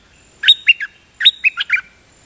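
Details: Dok Taeng bird, double-note (lak boen) song style, delivering two quick phrases of three and four clear, sliding chirps less than a second apart.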